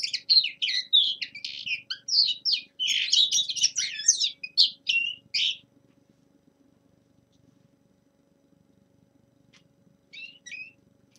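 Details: Young male common linnet in winter, giving a warm-up practice song: a quick, twittering run of varied chirps and buzzy trills for about five seconds, then quiet with a few soft notes near the end.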